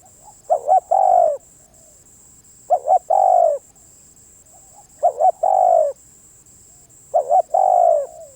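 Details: Spotted dove giving four phrases, one about every 2.2 seconds. Each is a doubled short coo leading into a longer, gently falling coo, with quiet gaps between. A high electrical-sounding whine is constant.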